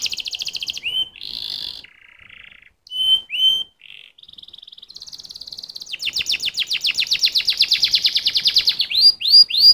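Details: Canary song in a rapid varied sequence: high whistled notes and slurred rising sweeps, a short buzzy trill, then a long fast rolling trill of repeated notes near the end, finishing with quick upward-slurred whistles.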